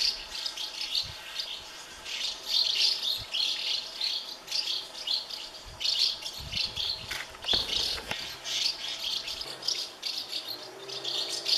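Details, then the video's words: In a thirty-nest House martin colony, chicks beg while parents keep feeding them; dense, high, buzzy chattering swells in repeated bursts, with a few low knocks and a brief broadband rustle near the middle. "A colony of thirty House martin (Delichon urbicum) nests full of hungry chicks"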